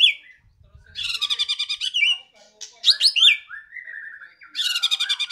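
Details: Loud caged White-rumped shama from Medan, a bird with one broken claw: high, rapid rattling trills and sharp whistled notes in bursts, separated by short pauses.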